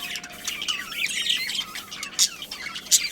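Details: Several pet budgerigars kept as a colony with a breeding pair, chirping together: a warbling mix of high twittering notes and short sharp chirps, with a couple of louder squawks near the end.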